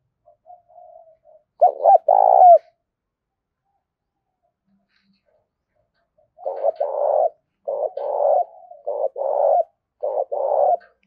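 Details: Tame decoy spotted dove cooing in the urgent 'gáy thúc' style in rural Đồng Nai, Vietnam: soft murmur, a loud double coo, then after a lull a rapid run of five hollow coos in quick succession.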